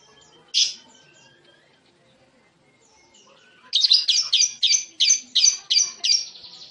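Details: Lovebird chattering: one loud high squeak, a pause with faint twittering, then a run of about nine harsh high chirps repeated roughly three per second.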